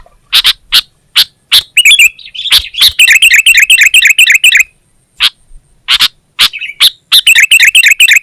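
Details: Sooty-headed bulbul (kutilang) in energetic gacor song, recorded as Indonesian masteran material for training songbirds: sharp ticking chips repeated at first, then long fast runs of chirpy, warbled notes broken by brief silences.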